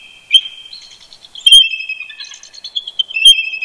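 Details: High, thin stuttering chortles from a pair of eagles roosting near their nest at Big Bear Lake, California, calling back and forth first thing on an early Sunday morning in November, notes running together in quick overlapping trills.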